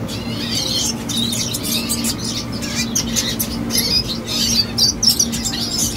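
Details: Red siskin, a young bird, delivering a scratchy string of high chirps and short rising whistles that build toward the end, over a steady mechanical hum.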